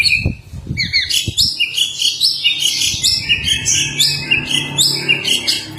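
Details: Courting male white-rumped shama singing to a female, a dense rapid stream of varied high chirps, trills and whistled notes running almost without pause, with a few soft low knocks early on.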